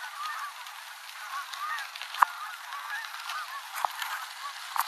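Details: Flock of Canada geese descending to land on Oregon's Rogue River at the end of the day; steady honking, some calls rising then falling, interrupted by a few loud clicks and knocks from a bicycle ride on a dirt road.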